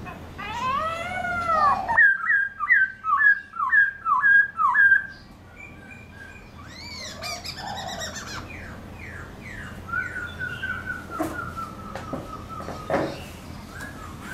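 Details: A black-throated laughingthrush sings loud, varied, wild-type whistled phrases, including a rapid series of repeated slurred notes, while dancing and flicking its tail.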